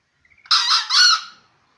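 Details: Green junglefowl, a 7-month-old bird, gives one short hoarse crow of two harsh, buzzy syllables over about a second. The first syllable is slightly shorter than the second, which fades away at the end.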